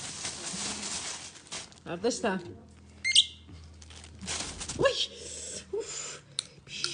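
A common myna gives harsh squawks, short whistles and speech-like chatter in a small room.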